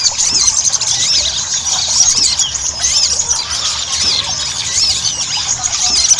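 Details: Lure recording of Ruby-cheeked sunbird (sogon) played so that kept birds start singing quickly: a busy stream of shrill, twittering, looping notes, heavily overlapped, over constant background hiss.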